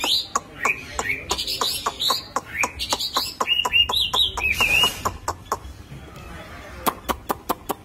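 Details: Chinese hwamei with belly puffed out singing 'khiển khách' song: a series of rising slurred whistles, briefly quickening, set against sharp regular clicks that keep going after the singing stops.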